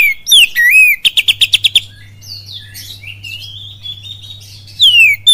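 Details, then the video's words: Oriental magpie-robin kapas tembak lure song: twisting whistles, a rapid series of seven staccato notes, a soft rambling warble, then a loud downslurred whistle again, above a constant low hum. "SUARA PANCINGAN KACER FULL KAPAS TEMBAK CILILIN DAHSYAT"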